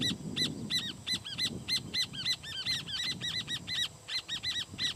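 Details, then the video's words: Rufous horneros calling in alarm on a firewood-gatherer's nest, very noisy: dense run of short, ringing, downslurred notes from more than one bird, overlapping and rapid, over soft low background rumble. "Horneros (Furnarius rufus) sobre un nido de Leñatero, muy ruidosos en sus llamados de alarma"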